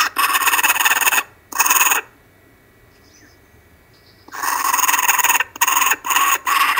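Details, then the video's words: Kookaburras on an Australian live cam, Monday 12/10/12 at 5:55 pm, calling loudly: two rough cackling bursts, then about two seconds of near silence before the raucous laughter resumes in choppy pulses. "Kookaburra cam from Australia,they are very loud lol"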